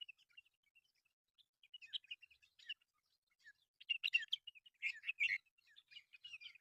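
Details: Mynas in a local reserve keep up a busy chattering mix of squeaky whistles and harsh, grating notes, growing louder and denser in the second half.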